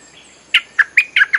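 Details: Olive-winged Bulbul lure song, used to call wild birds: five loud, liquid, slurred whistles in quick succession, about one every fifth of a second, after a brief faint lead-in.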